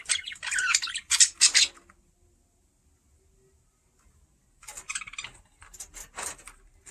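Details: A pet budgie exploring a camera up close makes dense, rasping chatter in two bursts separated by nearly three seconds of silence.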